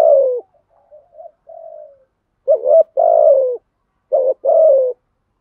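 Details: Spotted dove cooing in the earthy 'giọng thổ' style, a 'thúc gù' urging coo: a short cooing burst, quieter trailing notes, then two loud paired coos with long, low, slightly falling notes. The recording is also used to stir up other doves.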